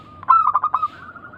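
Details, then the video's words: Local zebra dove in Indonesia, from a lure used to make other doves call back. One short run of about five quick, pulsed coos over a faint continuous ringing tone. "Pancingan burung perkutut lokal gacor suara mengundang bunyi langsung nyaut"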